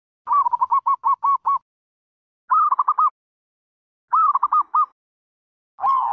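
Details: Zebra dove calling in rapid trilled phrases of short, evenly spaced coo notes, three bursts followed by the start of a fourth, with clear pauses between them and no other sounds.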